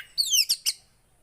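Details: Javan white-eye, from song played to spur a silent bird: a brief, very high descending whistle followed by two sharp, bright chip notes.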